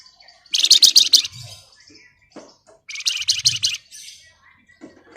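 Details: Flamboyan bird singing its rapid chattering ngebren style, used to provoke other birds to sing: two dense, buzzy bursts of very fast high notes, each about a second long, separated by short soft notes and a quiet gap.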